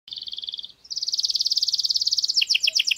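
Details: Domestic canary singing an error-free tutor song meant to teach chicks: a buzzy two-toned trill, a short break, then a long, fast rolling trill that slows into choppy paired notes at the end.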